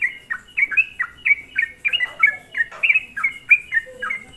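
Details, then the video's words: Energetic sooty-headed bulbul song used as a lure to stir up other bulbuls, brisk series of bright, downslurred chirps in steady quick succession, some doubled notes, with faint soft rustling underneath. "semua burung trucuk di buat emosi dengan suara pancingan trucukan gacor ini"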